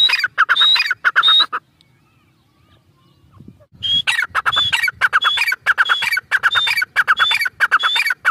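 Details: Grey francolin (teetar) calling in loud harsh bursts with thin high whistles, a two-second silence, then the rasping, rhythmically repeated phrases resume and run on steadily.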